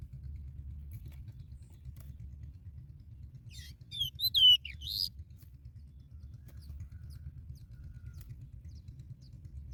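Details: Sooty chat bringing a cricket to feed its young; a short cluster of high, squeaky chirps and thin notes lasting just over a second mid-recording, over a steady low rumble.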